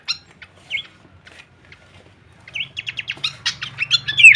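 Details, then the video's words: Masteran training recording of Horsfield's babbler in full-variation kleperan song: sparse, quiet whistled notes at first, building into a louder run of quick chirps and twisting slurred whistles toward the end. "masteran andalan khas burung pelanduk semak suara full variasi kleperan"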